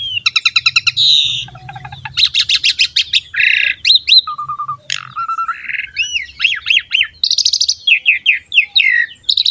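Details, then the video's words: Asian pied starling song for provoking other songbirds to sing: quick rattling series, buzzy phrases, short low whistles and looping squeaky slurs in a varied, continuous chatter over a faint low hum. "MASTERAN DAN PANCINGAN BURUNG JALAK SUREN GACOR JUARA"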